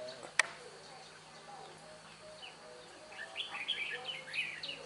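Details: Red-whiskered bulbul, a wild bird being trapped and praised for its bell-like voice: a sharp click, then a lively run of quick, bright, bouncing whistled notes, with soft human voices nearby.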